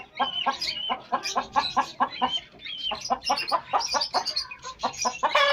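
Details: Pet hens meeting pet chicks: steady rhythmic clucking, several short notes each second, with high sliding chick peeps laid over it throughout.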